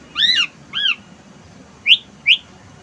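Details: Asian pied starling at a house terrace using wild-bird material: two arched, slightly squawky whistles, a pause, then two short rising whistled notes.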